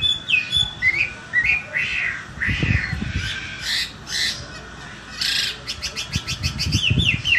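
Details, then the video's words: Chinese hwamei singing after bathing, competition-quality bird: varied loud whistled phrases, slurred notes and rapid repeated trills near the end, with some low thumping handling noise. "Hwamei Gacor Kualitas Lomba Selesai Mandi"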